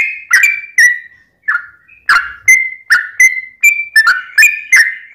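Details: Sooty-headed bulbul in lively long-trilling song, played to provoke other bulbuls into singing: short bright whistled phrases, each sliding down with a buzzy edge, repeated about twice a second after a brief pause.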